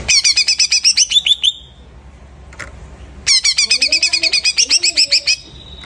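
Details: Greater green leafbird after moulting, delivering two bursts of rapid, metallic repeated notes separated by a pause of nearly two seconds. Faint lower warbling sounds under the second burst.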